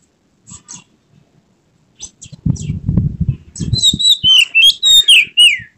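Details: White-rumped shama showing emotion with tail spread; after scattered soft chips and a burst of low rustling, a rapid string of loud whistled, slurred notes closes the recording.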